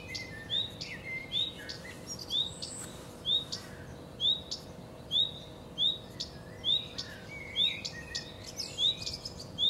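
Common redstart giving short, high, upslurred whistles about once a second, with softer chirps from other birds and a steady low hum behind.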